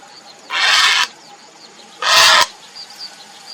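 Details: Grey heron calling for a mate: two harsh, rasping, broadband squawks, each about half a second long and spaced about one and a half seconds apart, over a quiet background with faint high ticking.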